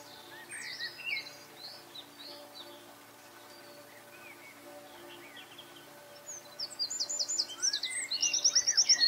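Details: Eurasian wren singing: a few faint high chirps and thin twittering notes at first, then a loud, rapid, very high trill of sharply repeated notes in the final seconds.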